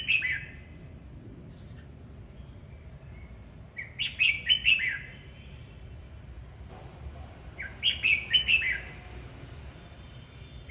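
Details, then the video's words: Red-whiskered bulbul singing as it dances, two loud rollicking phrases of rapid clear notes about four seconds apart, with near silence in between. "Chào mào hót múa"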